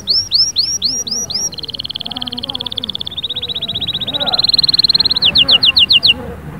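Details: Canary song in varied tours: looping downward whistles, then a rapid buzzy rattle, a long fast trill that rises slightly and grows louder, and a closing run of quick descending notes. Soft low murmuring underneath.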